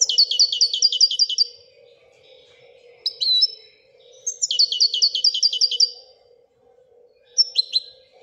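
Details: Moroccan European goldfinch singing in the Wedania song style: rapid trilled bursts of about one and a half seconds, each a run of repeated buzzy notes, separated by pauses with a few single chirps, over a faint low hum.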